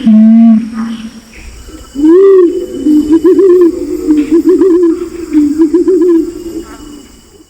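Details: Male and female Pinon's imperial pigeon lure calls: a brief steady low note, then a rising swell and a run of quick wobbling, bubbling coos repeated several times.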